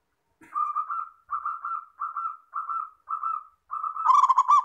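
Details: Six short, even coo notes at a steady pace from a local zebra dove, then a louder, rapidly pulsing phrase; a clean recording used to prompt other doves to sing in reply.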